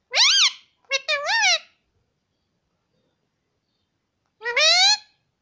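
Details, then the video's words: Pet parrot talking, said to repeat words like "mummy" and "papa" nonstop: a quick high harmonic syllable, then a rapid two-part phrase with rising and falling pitch, a pause, and one rising drawn-out syllable, in a quiet room. "parrot talking || nonstop talking mummy papa"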